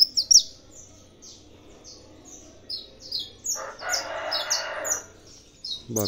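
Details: Saffron finch from a breeding facility, encouraged by tournament sounds, gives short, high, rapid chirps throughout, while a broad lower rushing noise briefly covers the middle and a thump comes at the end.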